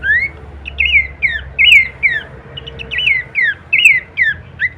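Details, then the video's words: Horsfield's babbler heard in kleperan song, used as songbird masteran: sparse, clear, rising-then-falling whistled slurs repeated every half second or so, over a noticeable background hiss and low rumble. "masteran andalan khas burung pelanduk semak suara full variasi kleperan"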